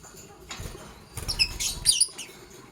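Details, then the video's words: Pet lovebirds, a green Fischer's and a pastel blue, chirping in the morning: a quick cluster of shrill, high, squeaky chirps in the middle, with soft rustling and cage patter before and after. "Lovebird Chirping Sounds"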